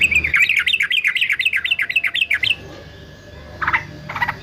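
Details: Yellow-vented bulbul, a fighter male trucukan, used as a training voice for songbirds: a quick rippling series of looping, rising-and-falling notes for two and a half seconds, then a few short sharp chips.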